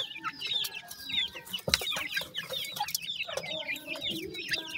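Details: Grey francolin chicks, newly hatched, keep up rapid overlapping high cheeps that slide downward, with one sharp knock near the middle and a few lower clucking notes underneath.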